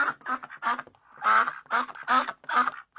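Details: Ducks on a pond quacking in a rapid series of nasal, buzzy quacks, some short and clipped, others drawn out, with brief pauses between bursts and no other sounds.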